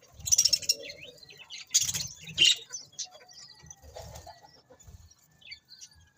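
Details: Budgerigars give loud bursts of harsh, scratchy high chirps separated by short quieter warbles and faint twitters, with soft low rustling and wing movement.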